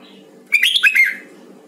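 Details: Red-whiskered bulbul of the Huế type in voice training delivers a brisk, chattering warble of connected whistles, climbing then falling in pitch, over a gentle low droning hum.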